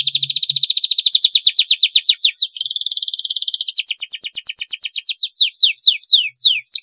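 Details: Long canary training song meant to teach young canaries to sing readily: fast rolling trills, a steady buzzy held passage in the middle, then descending repeated whistled sweeps, with a faint low hum at the start.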